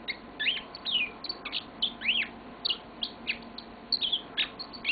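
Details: Yellow-fronted canary in song indoors, stringing together arched whistled notes and short chirps in a steady, rambling sequence.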